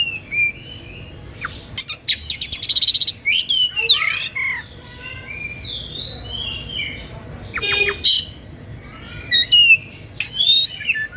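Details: Oriental magpie-robin in full song meant to stir listening rivals into answering; rapid rattling trills, buzzy bursts and clear sliding whistles alternate in an energetic, varied sequence, with quieter warbled passages between loud phrases.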